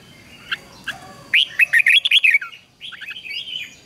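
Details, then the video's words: Red-whiskered bulbul in song training, ché style: two soft lead-in notes, then a loud run of about eight rapid, rich whistled notes, trailing into a quieter warbled phrase, a thin high whine throughout. "Luyện chào mào hót căng lửa, QUÁ HAY - CHÉ KÍCH BỔI CĂNG ĐÉT"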